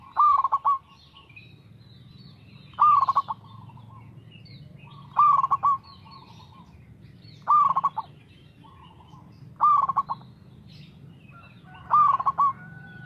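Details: Local perkutut, or zebra dove, singing steadily: six evenly spaced phrases, each a hooked coo with a quick pulsed tail, roughly every two and a half seconds, over a faint hum and scattered bird chirps.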